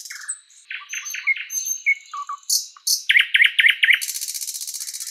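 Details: A thrush nightingale (Luscinia luscinia) sings in a spring forest: a varied, rich phrase of high pure whistles and clicks, then a run of loud slurred notes and a fast, dry rattling trill to finish.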